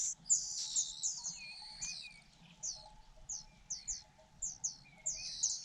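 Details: Fujian niltava chicks begging while their mother feeds them: thin, very high squeaky notes in quick overlapping bursts, some short and clipped, others drawn out, with faint low background hum.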